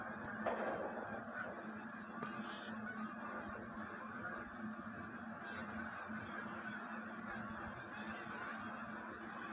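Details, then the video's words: Wild geese massing before migration: a continuous, dense chatter of honking from a large flock, steady throughout with one brief click. "Wild Geese on the move"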